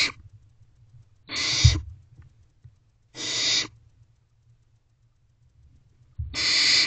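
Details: Barn owl owlets in a nest box on a May 2023 night, a sibling busy with a rodent; widely spaced grating hisses, roughly three in seven seconds, with low bumps between them.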